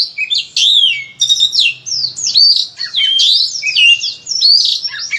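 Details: Kacer, the Oriental magpie-robin, in full, forceful song meant to coax other kacers into singing. Tumbling phrases of sweet whistles, buzzy trills and sharp chirps pour out almost without break.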